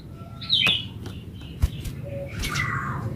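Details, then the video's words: Yellow-vented bulbul in gacor ulpik ropel style, recorded as a lure to get other bulbuls answering. A quick bright chirp is followed by a brief low note and then a longer slurred, descending warble over a low background rumble. "SUARA BURUNG TRUCUKAN GACOR ULPIK ROPEL INI COCOK BUAT PANCINGAN TRUCUKAN"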